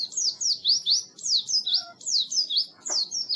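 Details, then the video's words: Oriental white-eye singing as a training recording for birds that won't sing: quick high sweeping whistles in short bursts, each note slurring down then up, with a faint low murmur behind. "Suara Burung Pleci Masteran Pleci Full"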